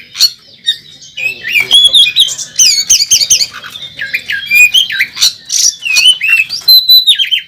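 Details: Oriental magpie-robin (kacer) in fighting mode at a bird contest track, rich varied song of loud whistled and harsh notes, rapid slurred phrases sweeping up and down, dense with mimicked sounds, continuous for the whole stretch.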